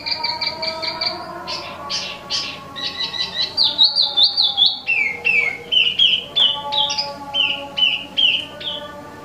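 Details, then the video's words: Wambi mini, or Tieu Mi, an imported caged songbird, in active song: repeated short whistles, then a long chain of varied clear whistled phrases, many sliding down, roughly two or three per second. A background hum is audible. "Wambi Mini Asli Impor/Tieu Mi Gacor"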